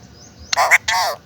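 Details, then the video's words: Pet parrot repeating its name in two rasping, harmonic-rich syllables, each roughly a third of a second long, separated by a brief pause, with no other sounds. "Talking parrot"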